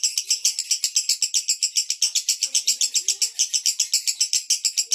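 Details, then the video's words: Male lovebird singing konslet: fast, steady high-pitched chatter pulsing about four times a second, dense and buzzy throughout. "Love Bird jantan Konslet."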